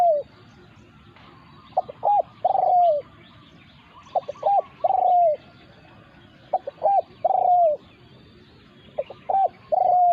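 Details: Spotted doves in a territorial clash between a decoy bird and a wild resident. Three-part coo phrases repeat about every two and a half seconds: clipped double notes, then a long mellow falling coo. Faint chirps are heard behind.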